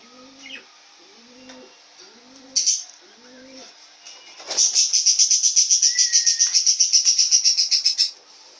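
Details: Male yellow-face grey cockatiel, about one and a half years old: soft low rising notes repeated early, then a fast regular series of high chirps lasting about four seconds with a brief whistle.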